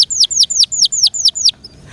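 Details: Caged canary repeating a loud, sharply descending whistled note about five times a second, seven times in a row, then stopping.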